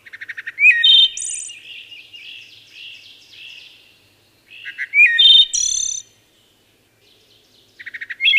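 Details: Wood thrush singing in several phrases. Quick low stuttered notes rise into a fluted whistle and a high trill, then come softer meandering warbles, and the next phrase begins with a rapid string of notes.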